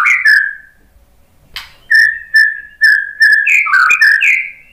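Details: Pancingan lure song of a white-rumped shama, used to prompt other birds to reply: short clear whistled notes repeated at roughly half-second intervals after a click, ending in a fast varied warbling flourish of rising and falling whistles.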